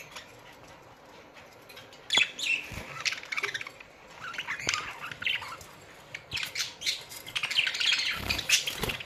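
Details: A budgerigar colony from Australia in a quiet stretch that builds into overlapping high chirps and warbles, growing busier and louder toward the end, with soft knocks and rustling underneath.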